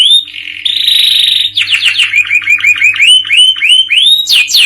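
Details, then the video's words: Canary song in the trendy cengkok pattern: an opening rising whistle, a sustained buzzy tone, then a chain of short rising chirps at a brisk pace and a final sharp upward flourish. "Suara kenari gacooor cengkok kekinian"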